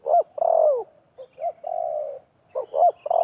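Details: Spotted dove calls: a wild dove and a decoy dove in a fierce calling contest at a trapping site, giving mellow cooing phrases of short hooked notes followed by longer, slightly falling drawn-out coos, repeated with brief pauses.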